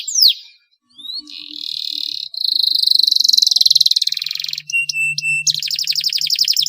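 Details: Canary song used to prompt quiet canaries to sing: a slurred whistle, then buzzy rolling trills, a few flat pure whistled tones, and a fast rattling trill to finish.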